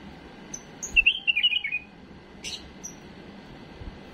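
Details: Tame bulbul delivering error-free song for teaching chicks: a thin high note, a rapid warbled phrase, then a sharp broad click and a soft high whistle.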